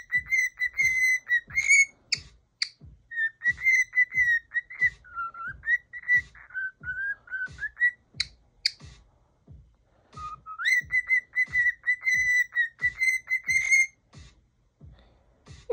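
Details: Pet cockatiel, angry at something stuck around its head and repeatedly throwing it off, whistles steadily on one clear pitch with brief dips lower, over rapid soft tapping.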